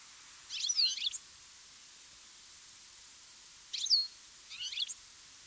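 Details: European goldfinch calls in mid-August, recorded over three days of fine weather; the bird moves its whole body while calling. Short, high, twittering bursts come in three groups about three seconds apart, over steady hiss.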